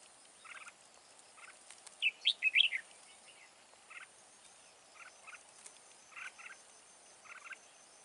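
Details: Red-whiskered bulbul, a wild-caught, large-bodied caged bird with a strong wild voice used for trap fighting, gives one loud warbled, rising-and-falling phrase, while softer paired nasal notes repeat about every second against faint hiss.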